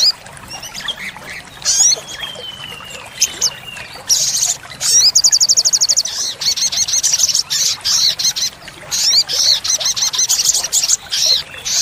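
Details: Spirited olive-backed sunbird (sriganti, sogok ontong) song with tembakan fills, used to lure and tutor caged birds: early sparse chips and a falling whistle, then a rapid high trill opening continuous sharp, very high chattering phrases.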